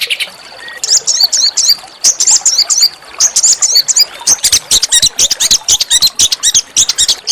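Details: Master song of a small songbird for triggering oriental magpie-robin song, rough but melodious: faint start, then repeated sharp high double notes in short groups, giving way to rapid clicking chatter.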